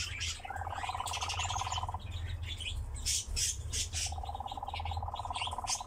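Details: A captive nightjar churrs in two long, even, rapidly pulsed mechanical trills, with higher chirps from other birds and a steady low hum underneath.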